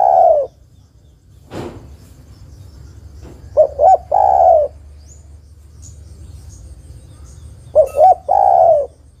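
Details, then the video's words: Spotted dove female calling for a male, recorded for luring. The tail of a long coo opens, then a sharp knock or click. Two full phrases follow, each two short notes and a long, low, downward-sliding coo. "tekukur betina memanggil jantan"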